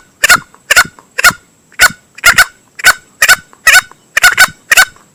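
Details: Male green junglefowl lure call for hunting, a rough repeated clucking, single and double notes about every half second, loud and clear over a quiet background.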